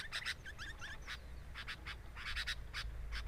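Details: At a sooty-headed bulbul nest with a camera set beside it, harsh scratchy bursts alternate with brief curving whistled notes. The burst rhythm is uneven and breaks off in short pauses.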